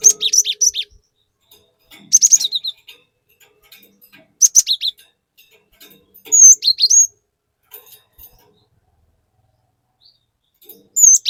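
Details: ['Lure song from a vocal cinereous tit: rapid groups of three or four shrill, buzzy whistled notes, then a curling descending whistle phrase, with quiet pauses between bursts.']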